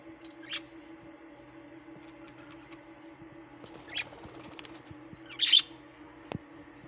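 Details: Small parrot giving a few short, high, sharp chirps spaced several seconds apart, the last and loudest near the end, over a steady low indoor hum.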